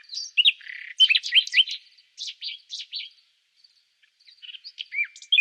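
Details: Common nightingale singing a varied phrase of rich whistles, rising slurs and chips. It pauses briefly, then resumes with a few scattered notes and a clear descending whistle, with no background noise.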